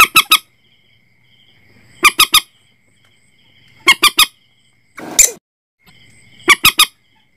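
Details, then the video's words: Common Moorhen calls for night-time net setting: five groups of three quick, hard, rasping notes spaced roughly two seconds apart, one brief noisy rustle in between, over a faint constant whine. "suara burung mandar batu"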